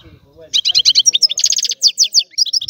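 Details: European goldfinch, Sicilian, singing an old-style song: a fast run of bright twittering notes, close-packed trills and short buzzy slurs, mostly high-pitched, with faint low rumbling at the start.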